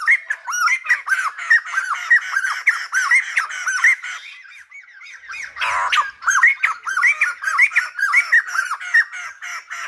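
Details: Silver-headed babbler singing in a style likened to a lumba dancer: rapid run of arched, chattering notes repeated over and over at a lively pace, with a short pause mid-phrase before the bird resumes just as busily.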